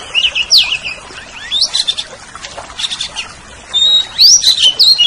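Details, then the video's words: Greater green leafbird song from a training recording for cage birds: bright, sweeping whistled phrases rising and falling, given in quick bursts with short pauses, ending in a run of loud slurred notes. "Masteran Suara Cucak Ijo"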